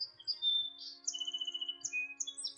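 A Song Sparrow sings bright, high notes and short buzzy phrases that slide between pitches, over a steady hum of soft background music.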